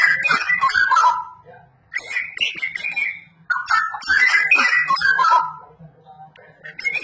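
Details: Straw-headed bulbul singing loudly and actively: rich, melodious warbled and whistled phrases in quick bursts, with two main outpourings separated by a short pause, over a faint low hum.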